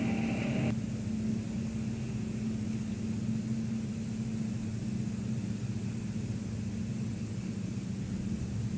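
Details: Low steady rumble and hiss, with a brief tone that cuts off in the first second. No animal calls are heard.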